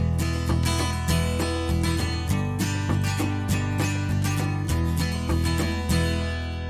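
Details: Strummed acoustic guitar plays a steady country-style tune with no animal voices.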